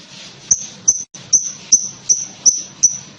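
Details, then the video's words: Lovebird calling in a quick series of seven thin, high chirps, about two to three per second, over faint hiss. "Burung Lovebird manapun akan nyaut dan ngekek panjang setelah dengar ini"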